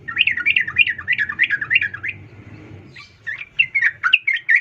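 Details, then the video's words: Female yellow-vented bulbul calling to a male with a rapid, rolling sequence of bubbly, wavering chirps, a brief lull, then another quick chattering run above a low background hum. "trucuk Betina memanggil jantan"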